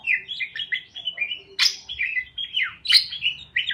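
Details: Parakeets chirping to cheer a lonely parakeet: steady stream of short warbled chirps and squeaks with two loud sharp clicks, faint hum beneath.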